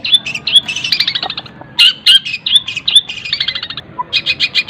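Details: Cendet singing a varied mimicry song with sharp whistled squeaks, stuttering descending chip runs and a final series of quick high notes; its fill-in phrases copy tengkek buto, greja and kunti.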